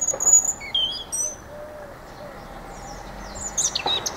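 A European robin sings high, thin, wistful phrases of clear whistles and trills, broken by short pauses, over a soft background hiss.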